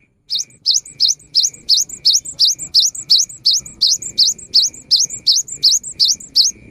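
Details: A cinereous tit sings in the afternoon, a song said to prompt other tits to sing along: a long, steady series of about eighteen high, bright, down-up whistled notes, rhythmic and unbroken.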